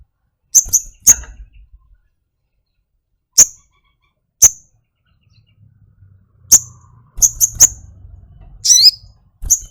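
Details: Pet flowerpecker giving scattered high, clipped tick notes, a quick cluster of three, and one brief warbled, downslurred note near the end, with a faint low hum.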